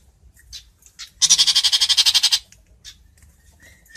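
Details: Long-tailed shrike, known locally as Chàng Làng, calling its flock: a single harsh, rasping burst of about thirteen rapid pulses lasting roughly a second, with scattered faint chips and thin notes before and after.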